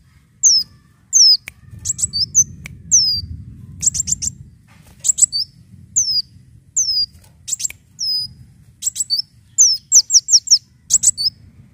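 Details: Leafbird lure song: high descending whistled slurs alternating with bursts of sharp chattering notes, repeated throughout over a quiet low hum.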